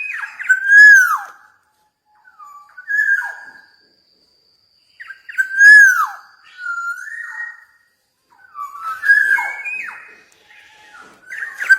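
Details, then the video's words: Black-naped oriole, called Javan golden oriole locally, singing actively: loud, rich fluted whistles with slurred, down-curving notes, given in phrases about every five seconds, with softer warbled notes between them. "KEPODANG EMAS JAWA GACOR"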